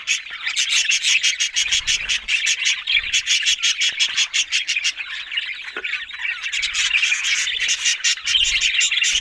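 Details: Several budgies, Australian parrots, warble and chirp in a continuous scratchy stream, with rapid clicking runs and brief sharper squeaks, pausing only slightly midway.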